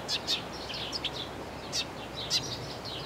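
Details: Eurasian tree sparrow singing: short, bright chirps in loose clusters of two or three, with irregular pauses, over a soft steady background hiss.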